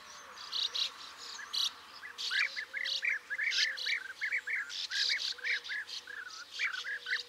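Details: European bee-eaters (Merops apiaster) give a rapid stream of short, liquid, rolling 'prrup' calls, several birds overlapping, with higher scratchy chirps mixed in.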